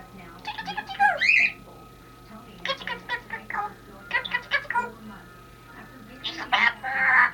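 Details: Pet female Congo African grey parrot talking as part of a Happy New Year greeting: scattered bursts of human-like word sounds and a few sharper squawky notes, separated by pauses, over a low constant hum.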